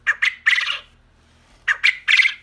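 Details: A lone male quail, isolated from his females, crows twice, calling for them: each crow a harsh, buzzy phrase of two quick clipped notes then a longer rasping note, about 1.6 seconds apart.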